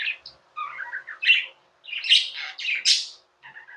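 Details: A short burst of pet budgie chirping: low warbled notes build into loud, scratchy chatter and a high squeak before a fainter trill.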